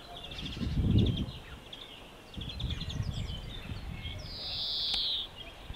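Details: A European greenfinch at La Calamine-Kelmis, Belgium, gives quick, rippling twitters, then a drawn-out buzzy wheeze near the end; a steady low rumble of wind or traffic runs throughout.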